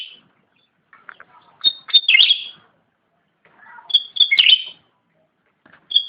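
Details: Black-headed bulbul singing energetically, giving two main clusters of sharp, high chirps and rapid scratchy twitters, each led in by softer lower notes, with quiet gaps between phrases and a final short chirp.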